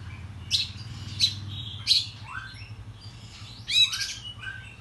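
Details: Excited Oriental magpie-robin in the morning, recorded as a lure to agitate others: four harsh, raspy notes spaced roughly a second or more apart, with soft slurred whistles between them over a low background hum.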